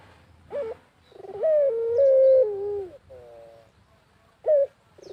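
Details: Pelung-style barbary dove in full cooing voice in the countryside, a lure for other doves: a brief rising note, then a long sustained coo stepping slightly down in pitch over about a second and a half, followed by a softer wavering tail.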